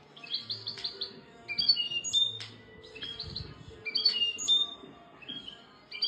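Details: European goldfinch song in separate bursts of high, tinkling twitters and short buzzy trills, spaced by brief quieter gaps, with faint low background noise.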